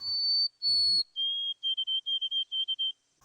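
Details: White-throated sparrow singing on a spring bird walk in River Styx Park, Medina: two long, pure, high whistles, then quicker, slightly lower triplet notes, the 'old Sam Peabody' pattern, over a brief low rumble.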